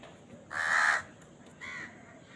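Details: Crow while eating, amid crows fighting over food; one loud harsh caw followed by a softer, shorter second caw.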